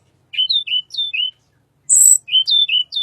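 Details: Little pied flycatcher, song used as a lure for white-rumped shama: a short phrase of sweet slurred whistled notes, a harsh high buzz, then the whistled phrase again.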